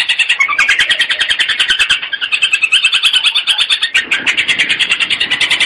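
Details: Long-tailed shrike (cendet, gabusan lampir style) song used as a training master recording: a loud, unbroken stream of scratchy, high chattering notes, quickly repeated with varied twittering phrases, with no other clear sounds.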